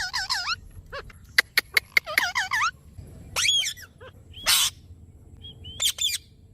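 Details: Parrot described as talking nonstop, giving harmonic, bending notes in quick bursts, several sharp clicks near the start, then rising and falling squeaky phrases and a short harsh noisy burst, with a faint low background rumble.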